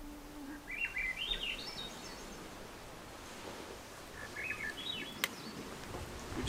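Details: Swainson's Thrush at a Lake Superior island campsite on a wilderness camping trip, Day 5, in the afternoon before sunset. Two quick flutelike spiral phrases climb upward in pitch a few seconds apart, over a steady outdoor hiss and one sharp click.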